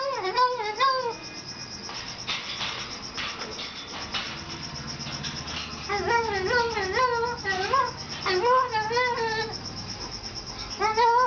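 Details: A pet Moluccan cockatoo talks, saying "hello" and "I love you" in wavering, speech-like phrases with rising and falling pitch, in bursts of about a second, over a faint background hum.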